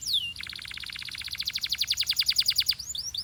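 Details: Belgian canary song meant to warm up canaries and fire up females: one falling whistle, then a long rapid pulsing trill growing louder for over two seconds, ending with brief slurred notes.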